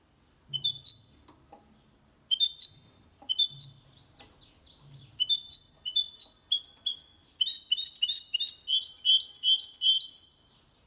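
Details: Goldfinch × canary hybrid singing cleanly, played to stimulate males to sing and teach young birds: short whistled phrases repeated with pauses, then building into a fast, dense, twittering trill of high bright notes near the end.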